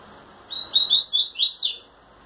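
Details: Double-collared seedeater male singing to a female while trembling its wings, captive; a quick phrase of high, sliding chirped notes repeated about six times in just over a second.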